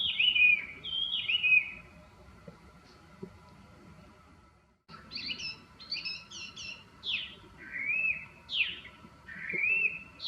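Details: Chinese hwamei singing after bathing while preening; rich whistled phrases with upslurred and downslurred notes, a pause mid-way, then a burst of quick high notes and looping whistles.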